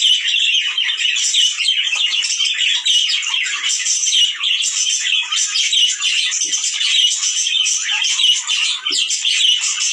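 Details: Budgerigar chorus used to stimulate breeding in males and females: many birds chattering at once, an unbroken stream of high warbled twitters and harsh chirps with brief louder bursts.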